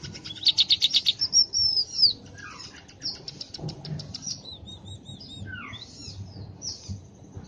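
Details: Tame, chatty scaly-breasted munia: a quick burst of high pulsed notes and a thin whistle, followed by softer scattered chirps and slurred notes, with wing flutters in the background.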